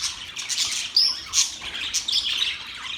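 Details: In a short burst of happy budgerigar chirping, a clear rising whistle near one second stands out over scratchy high chatter and squawks.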